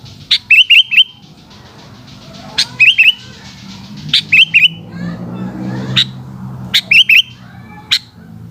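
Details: Sooty-headed bulbul singing in the afternoon. Short phrases of three quick rising whistled notes, each set off by a sharp click, repeat every couple of seconds over a low background hum.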